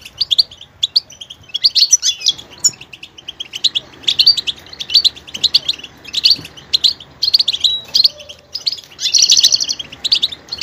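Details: Long goldfinch performance of fast, bright twittering phrases and clipped chirps, closing with a sustained buzzy, grating trill.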